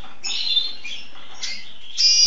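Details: A hybrid of a red siskin and an agate pastel red mosaic canary sings in high, scratchy twittering bursts with buzzy notes, three quick phrases in about two seconds, the last the loudest.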